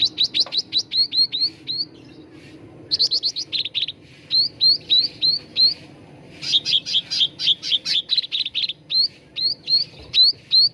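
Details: Cucak ranting bulbul song used as a lure and training recording to get birds singing: rapid series of high, sharp, upslurred chirps in fast bursts, with short pauses between runs, repeated throughout.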